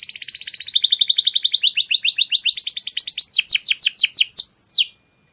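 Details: Canary master song, clear-voiced: a fast high trill slows into a series of sharp descending whistled sweeps, then stops abruptly into silence.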